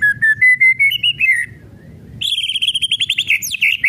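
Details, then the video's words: White-rumped shama kretekan song, used as a lure to provoke other shamas: a run of clear whistled notes stepping upward, a short pause, then a fast rattling series of buzzy ticks over a high whistle. "KRETEKAN MURAI BATU MEMANCING EMOSI"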